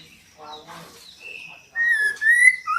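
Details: Female white-rumped shama call, used to make a male sing: faint murmuring at first, then a clear, long, slightly rising whistle and a short lower note.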